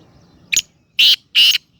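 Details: Black francolin calling in Khushab: three loud harsh rasping notes in quick succession, the first short and the next two longer and buzzy, over a quiet background.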